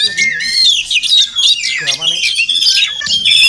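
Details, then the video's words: Oriental magpie-robin, a wild bird that comes to a house every morning, gives a dense medley of high whistles, trills and harsher squawky notes, tumbling continuously with few breaks. "Crazy Sounds of Village Magpie Birds"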